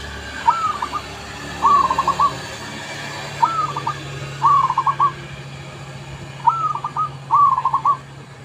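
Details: Lure recording of a zebra dove, its cooing phrases opening with a short rising note and running into quick stuttering pulses, six phrases at irregular spacing over a steady low hum and faint background hiss.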